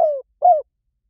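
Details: Two drawn-out, gently falling coos from a spotted dove singing the Liw Tan style, a song for luring doves and training them to coo back, separated by a brief gap.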